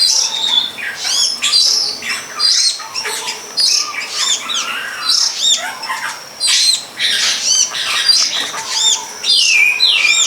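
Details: Wild long-tailed shrike in full song; a dense, scratchy stream of high chattering notes, squeaks and quick slurred whistles with barely a pause.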